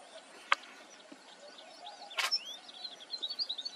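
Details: Red avadavats (red munias) at Nagpur in August 2023 give thin, high chirps and short upslurred notes in quick, irregular succession, fairly faint, with a couple of sharp clicks and steady background hiss.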